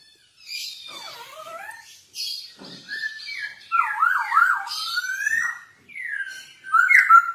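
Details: Masked laughingthrush (poksay hongkong) in lively, chattering form, sung for use as a lure to train other birds: warbling, looping whistles sliding up and down, broken by short pauses and scratchy, buzzy notes.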